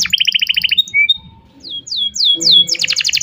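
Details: Canary used as a lure to teach a young canary to sing, giving a long varied song: rapid buzzy trill, a few pure whistles, then falling sweeping notes and a fast high rattle.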